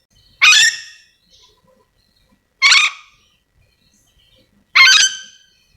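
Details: Sulawesi's endemic ornate lorikeet gives three harsh, screeching calls, each a short raspy burst with a fading tail, spaced about two seconds apart, with near silence in between.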